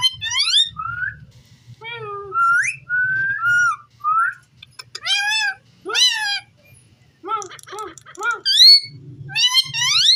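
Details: Talking ringneck parrot kept as a pet, giving a string of clear, speech-like words and whistled syllables with sharp rising and falling inflections, in short phrases separated by brief pauses, with a faint low hum behind.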